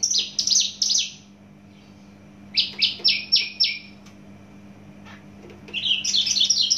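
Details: From Java, a Javan bush lark delivers rapid bursts of four to five falling buzzy notes, then a long pause, then a jumbled high twittering phrase; low steady hum throughout.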